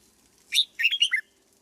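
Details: Cage-trained red-whiskered bulbul, conditioned as a decoy bird: a short, loud phrase of clear whistled notes, one rising chirp then three quick liquid notes falling at the end, against a quiet background.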